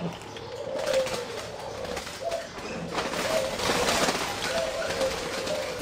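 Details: A competition-bred singing zebra dove gives soft, rolling coos in short bursts every second or so, half-buried under a steady hiss and a faint murmur of talk.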